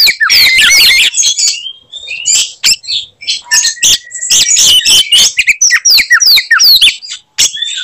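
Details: Oriental magpie-robin (kacer) in fighting song said to make others of its kind furious; an energetic opening tangle of high whistles, then scattered chips and short slurred phrases with brief pauses.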